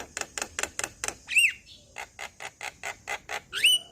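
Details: Male Javan myna in song, said to prompt other Javan mynas to sing: evenly spaced harsh rasping notes about five per second, broken by two loud rising whistles.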